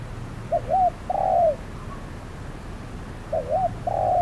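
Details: Spotted dove decoy calling during trapping on a hot midday, facing a wary wild bird; two cooing phrases, each a short rising double coo then a longer level, slightly falling coo, over a low rumbling background.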